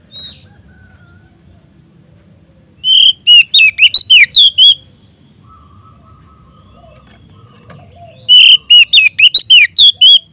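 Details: Loud, vigorous white-rumped shama song aimed at a rival: two bursts of quick varied whistles and sharp chirps, separated by several seconds of quiet, over soft low background rumble and a constant thin high tone.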